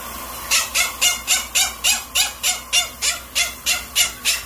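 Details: Pet monk parakeet (quaker parrot) during bath time, giving a steady series of about fourteen harsh, raspy, high squawks, evenly spaced roughly three per second, with little other sound.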